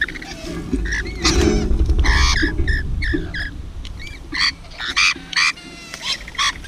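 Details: Rainbow lorikeets feeding, giving rapid harsh chattering squawks and short upswept notes in bursts, loudest in the first half, then spaced clipped screeches over low background rumble.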